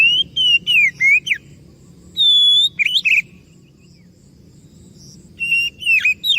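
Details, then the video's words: White-rumped shama singing to prompt other birds to reply: bursts of slurred descending whistles, a long flat whistle, rough twisting notes, a pause of about two seconds, then more whistled phrases. "PANCINGAN BURUNG KACER DIJAMIN IKUT NYAUT"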